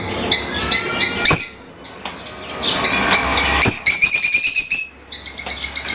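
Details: Pet lovebirds, small colourful parrots native to Africa, chattering in shrill high twitters and sharp chirps, with a sustained buzzy squeal near the end and a low hum in the background.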